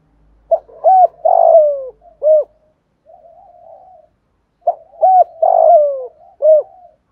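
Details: Spotted dove cooing in the 'thúc gù' style, played so wild and decoy doves start cooing. Two longer low phrases: short clipped notes, a drawn-out falling coo, then a final brief note, with a soft murmur between. Background quiet.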